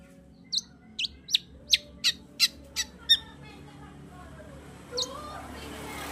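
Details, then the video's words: Long-tailed shrike lure meant to rouse a shrike that rarely sings: a steady series of eight short, sharp, high chips at roughly third-second intervals, one more note after a pause, then rising background noise. "Pancingan Cendet Gacor Untuk Menaikkan Birahi cendet Malas Bunyi"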